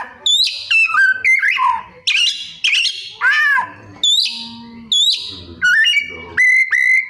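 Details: White-rumped shama singing with mimicry of other birds: loud varied phrases of sliding whistles, harsh squawks and rapid trills in quick succession, ending on a long steady whistle.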